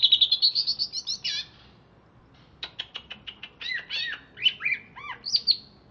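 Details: Caged wild-origin greater green leafbird from Alas Purwo, Banyuwangi, said to nyiblek, njenggot and mbeset: a quick high trill that bends downward, a pause, then sharp clicks and springy looping chirps.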